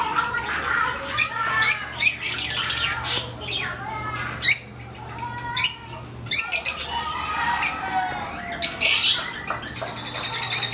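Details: Noisy lovebirds giving high-pitched chirps: harsh squawks and shrill chattering notes come in irregular bursts, some overlapping, with a low steady hum running beneath.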